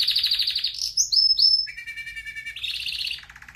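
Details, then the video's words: Red factor canary song for training: a rapid high trill, brief upward-slurred whistles, a pair of flat tones, then a bright pulsing trill fading into softer notes. "Canary most powerful song for training | Red Factor singing"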